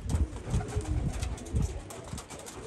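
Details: Homing pigeons cooing: low, soft, throaty coos in short pulses, several bursts about half a second apart, with faint rustling and background hiss.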